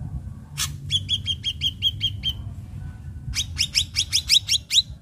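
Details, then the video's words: Captive ashy drongo, recorded as a lure to get new drongos singing quickly: one harsh burst, then a rapid even string of short clipped whistles, a brief pause, and another fast rising series of chirpy notes. "Srigunting Abu Abu Gacor PALING DIMINATI Untuk Pancingan Srigunting Bahan AGAR CEPAT GACOR"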